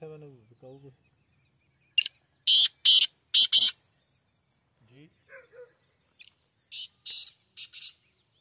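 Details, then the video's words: ['Black francolin (kala teetar) calling: a set of harsh, grating, broadband notes, about four in quick succession, repeated after a pause of a few seconds. Brief low tonal sounds open the recording.'] "Black francolin voice 💔 kala teetar awaz 👈 partridge sound . black teetar"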